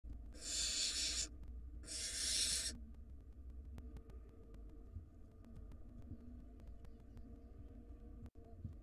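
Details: Barn owl nestlings at the nest during a food shortage after a long storm. Two harsh, broad hissing bursts of about a second each, close together, then quiet low rumble.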